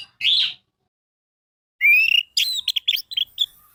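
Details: Orange-headed thrush singing, used to coax silent birds: one short slurred whistle, a pause, then a rising whistled note running into a rapid series of chattering, varied notes.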